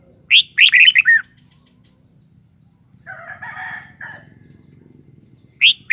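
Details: Caged red-whiskered bulbul sings a quick phrase of five sweet whistled notes, followed by a lower, rough drawn-out call from another bird, then the bulbul starts again.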